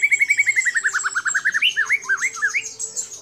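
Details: White-rumped shama, a kept bird trained with mimicked calls of other birds, used as a master recording to prompt other shamas; a rapid series of rising slurred notes, about twenty, then looping swooping whistles.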